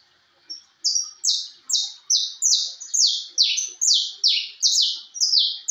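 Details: A "de porte" canary in full song delivers a steady string of loud, high, downslurred notes at roughly two and a half per second, each swooping down sharply. The background is quiet.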